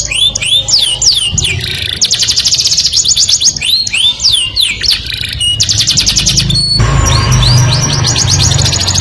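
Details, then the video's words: Canary singing, a song said to attract the opposite sex: fast rolling trills, repeated swooping whistled notes rising and falling, and rapid buzzy pulsed phrases that change every second or two, over a steady low hum in the background. "o som melodioso de um canário atrai o sexo oposto"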